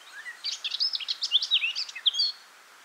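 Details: Blackcap warbling against a hiss of background noise, a rapid jumble of short chattering and whistled notes lasting about two seconds.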